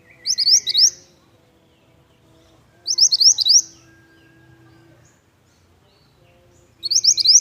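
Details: Pied bush chat in full song: three short bursts of quick, high, rising whistled notes, repeated about every three seconds, with a faint low hum and soft background tones between them.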